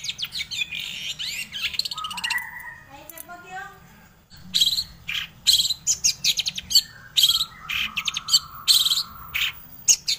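Long-tailed shrike song: sliding whistled notes and falling trills, then a run of harsh, scratchy chattering bursts about twice a second, mixed with high whistles.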